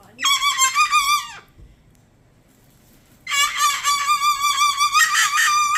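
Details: Umbrella cockatoo (Cacatua alba), a learned scream taught to him: two loud, harsh, rooster-like screeches, a one-second burst, a short silence, then a longer wavering blast, quieter and more bearable than his typical screams.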